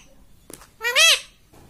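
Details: A parrot kept as a pet gives a single loud, arched, nasal "mummy"-like syllable after a soft click, in a quiet indoor setting.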